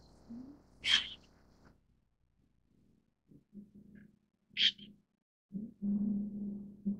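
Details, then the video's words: White-cheeked starling (Sturnus cineraceus) giving two short, harsh, rasping calls about four seconds apart, over a low droning murmur. "灰椋鳥/White-cheeked Starling"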